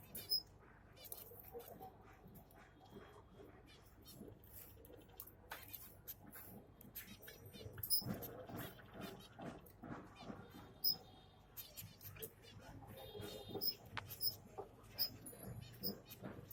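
Zebra finch chicks give short, high, thin chirps, repeated in quick bursts over a steady background hiss.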